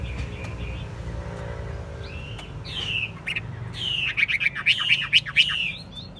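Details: Caged Chinese hwamei with a fig-leaf tail, described as a steady singer, tested for fighting and not yet trained for contests, sings. Scattered whistled notes and slurs come first, then a dense, rapid run of loud, varied whistled phrases from about four seconds over a low rumbling hum.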